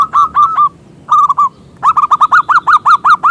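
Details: Local zebra dove with a big voice, singing actively as a lure for other doves: bursts of loud, rolling, arched cooing notes, first two short groups, then a fast run of about ten evenly spaced notes.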